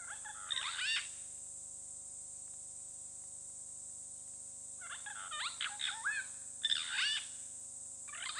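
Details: Pair of Purple Rollers at Hyena Pan in Botswana's Okavango Delta, Khwai Private Reserve, on a wildlife camera: bursts of harsh, cackling rasps, one early then two clustered groups after a few seconds' pause, over continuous high electronic hum.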